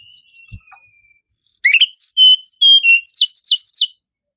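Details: Tledekan gunung singing a rapid, varied phrase of high, thin whistled notes, alternating upward and downward slurs and ending in quick repeated chirps, after a long faint whistle and a soft knock.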